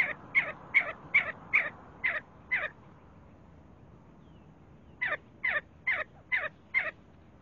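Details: See-see partridge calling: a steady series of short, sharp, whistled notes repeated about every 0.4 seconds, six in the first burst, a two-second pause, then five more in the same rhythm.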